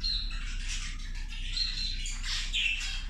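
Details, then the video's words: Zebra finches over their food keep up a steady nasal chatter of short overlapping calls, with a couple of higher piping notes near the end. "Australijske zebe ručak"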